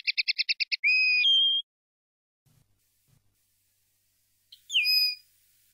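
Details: Common linnet song in the field (campero) style, meant for educating young linnets: a quick run of about eight clipped notes, then two clear whistles, one falling, silence, and a final slurred, descending whistle.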